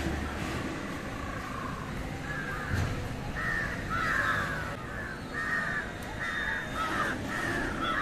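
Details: Series of harsh, nasal caws from an Indian jungle crow feeding on fish, given about once a second with brief pauses, some louder and more strained, over low rumble.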